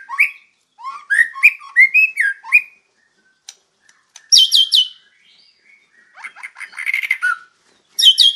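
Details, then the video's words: White-rumped shama in energetic song, a varied mix of whistled slurred notes, rising and falling phrases, then buzzy high trills and bursts separated by short pauses; used as a master recording for training other birds. "Masteran Murai Batu Gacor WIKPLONG"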